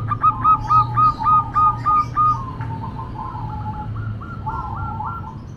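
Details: Noisy cooing of a local female zebra dove. A loud run of about nine quick, evenly spaced staccato notes gives way to softer rolling trilled coos. A low steady hum runs underneath.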